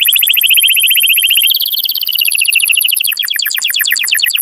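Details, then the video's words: Canary song meant to stimulate males and excite females to mate: fast rattling trills, a steady rapid tour switching after about a second and a half to a higher sustained trill, then to clipped repeated notes. "تغريد كناري قوي لتحفيز الذكور وتهييج الاناث على التزاوج"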